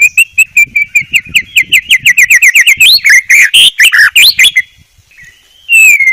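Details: White-rumped shama tutor song, a quick stuttering series of bright notes that speeds up and then breaks into varied warbled phrases. Ends with a short pause and one loud downslurred whistle.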